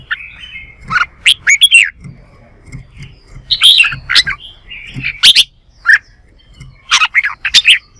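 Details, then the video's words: Red-whiskered bulbul singing a fighting song in a morning session meant to stimulate and train birds' voices: quick bursts of bright, liquid whistles and chirpy phrases bouncing between mid and high pitch every second or so, over a faint low rumble. "Chào Mào Hót Đấu"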